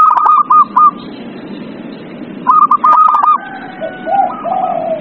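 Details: Zebra dove song to stir a quiet dove into singing: two stuttering bursts of rapid clipped coos, then a drawn-out lower rolling coo phrase near the end, background hiss.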